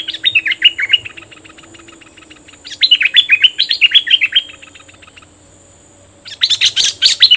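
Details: Fierce decoy Cream-vented bulbul, May 2021: repeated bursts of rapid, slurred chattering notes with short pauses between them, ending in a louder, harsher flurry, all over a continuous high-pitched whine.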